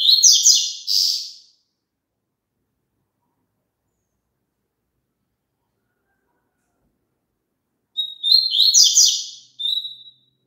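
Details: Double-collared seedeater song, played so a kept bird will sing along: a quick burst of high, jumbled twittering at the start, a long silence, then a second tumbling phrase that ends in a short thin whistle.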